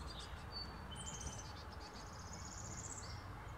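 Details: Brown-headed Cowbird, an adult male seen up close, gives a long, thin, high whistle that slides gently downward, with brief high chips around it and a constant low background hum.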